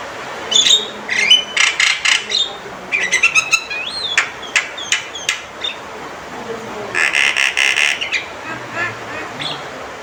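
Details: Male Javan myna calling loudly and sharply: bursts of harsh, buzzy notes and rapid clicks, a rising-falling whistled slur near four seconds, then a dense harsh burst around seven seconds, with steady background hiss.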